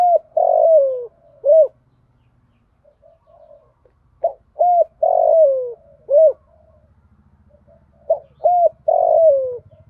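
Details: A female spotted dove repeats its male-luring call in the 'thổ pha' voice with a single end note. Three four-coo phrases come roughly every four seconds, each with a long falling middle coo, over a faint low hum.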